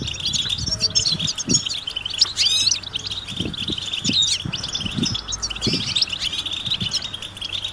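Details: European goldfinch chatter offered as mating calls to make a silent male sing: high twitter with a few sweeping slurred notes near two seconds, accompanied by repeated low thuds and background rumble.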